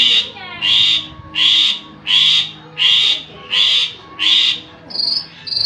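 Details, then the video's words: Javan pied starling song used as a lure to make other birds answer: harsh, broad rasping notes repeated steadily about every 0.7 seconds, with a brief higher whistled note near the end. "pancing ini jalak suren anda langsung nyaut"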